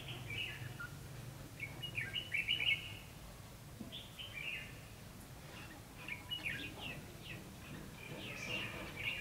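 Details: Red-whiskered bulbul during decoy trapping in Vietnam, singing clear bright warbled phrases in short bursts separated by pauses, notes slurring up and down, with faint background hum and other distant chirps.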